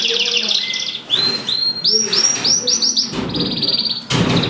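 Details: Mosaic canaries during mating sing a loud, bright series of rising chirped notes, repeated several times a second, with a buzzy high trill at the start and a sharp burst near the end.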